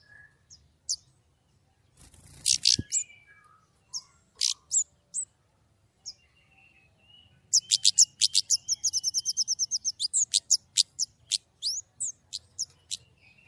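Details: White-rumped shama singing actively in 'nembak' style with a clear voice: scattered high notes, then a rapid even trill of sharp repeated notes lasting several seconds, followed by spaced whistles over a faint low hum.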